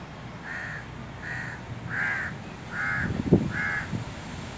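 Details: Crows calling to each other with five evenly spaced, hoarse caws about every 0.75 seconds, plus a sharp knock near the end and low background noise.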